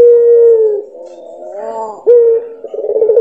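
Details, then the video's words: Puter pelung dove song: a held tone that falls away, a quiet rising harmonic phrase, a sharp return to a steady note, then rapid pulsing throbs at the end. "9 Puter Pelung, suara dan karakter berbeda"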